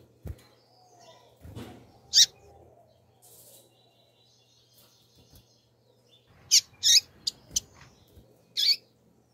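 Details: Calling female rusty-collared seedeater, known as a 'turbina' coleiro: scattered sharp high chips, a quick cluster of four near the end, mixed with knocks, rustles and wing-like flutters.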